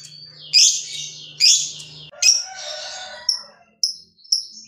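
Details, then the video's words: Caged fighter lovebird vocalizing to trigger song in other lovebirds: harsh squeaky chirps, then short clipped high notes, over a faint low hum. "BANYAK LOVEBIRD LANGSUNG BUNYI SETELAH DENGAR SUARANYA"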